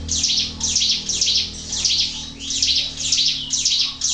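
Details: Sunda warbler in full song for luring other birds: sharp, high, buzzy notes repeated at an uneven pace of nearly two per second, with a quiet low hum behind.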